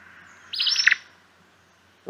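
An Acadian Flycatcher gives one sharp, explosive two-part phrase, high and emphatic, the familiar "pizza" with the stress falling on the second note.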